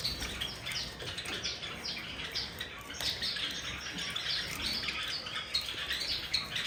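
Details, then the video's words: A flock of Java sparrows chirps steadily during a bath, with quick high descending notes and squeaks crowding together against a background of splashing water. "Java sparrows taking bath with original sound"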